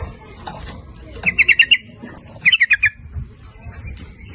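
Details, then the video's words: Lure song of sooty-headed bulbul to attract males and females: two crisp bubbling phrases of about five quick notes each, a second apart, over faint background noise. "Suara Pancingan Trucuk gacor memanggil jantan maupun betina ikut bunyi nguplik ropel"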